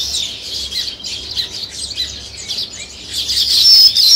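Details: High, busy chirping from a group of sparrows beside nest-building weaver birds, many short overlapping tweets forming a steady chatter that grows louder and shriller toward the end.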